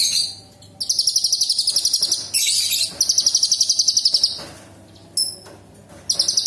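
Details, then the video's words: Cucak cungkok, or sooty-headed bulbul, singing hard, sharp 'tembakan' shots used as training song for other birds. Long fast high-pitched rattling trills last over a second each, with brief higher buzzy notes between them and a low steady hum beneath. "Cucak cungkok gacor istimewa Tembakan istimewa Cucak Cungkok kerasukan Cililin tembakan kasar tajam"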